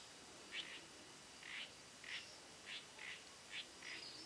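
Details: A spot-backed puffbird at Boa Nova, Bahia, Brazil, gives a faint series of short, high, slightly buzzy notes, loosely paired, roughly every half second, over a steady hiss.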